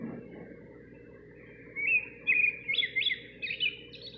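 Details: Nightingale singing just outside a kitchen window, beginning with a faint thin note, then building into a loud series of quick rising whistled slurs and chirps, phrases stepping upward in pitch over a steady low background hum.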